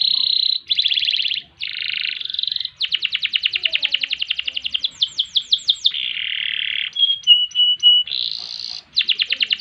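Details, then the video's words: Canary song for tutoring other songbirds: varied phrases of buzzy trills, rapid rolls, a run of swooping downslurs, a low churring section and short pure whistles, all loud and close. "Kenari Gacor Panjang Ngerek Ngerol Nembak Mantap Buat Masteran dan Pancingan | Bird Singing"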